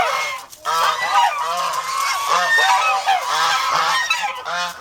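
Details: Domestic geese, aggressive watch birds kept on a Philippine farm, burst into a continuous stream of loud, raspy honks after a brief pause, several birds overlapping in a noisy, insistent chorus.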